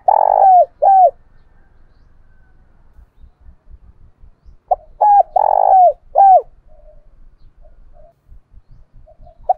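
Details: Decoy spotted dove calling to spur fighting, thổ bầu voice style: two phrases of low coos several seconds apart. Each has a long burry note flanked by brief downslurred hoots, with faint soft notes between them.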